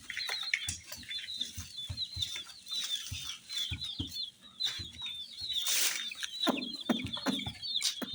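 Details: Many colourful baby chicks peeping at once beside small baby dolls, high thin downward-sliding chirps overlapping steadily, mixed with low knocks and a short burst of rustling noise partway through.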